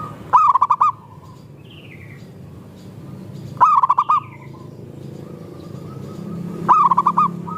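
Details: Local zebra dove, recorded as a lure for other doves. Three bright, rolling phrases of rapid coos come about every three seconds over soft background cooing, with a thin, higher, descending note after the first.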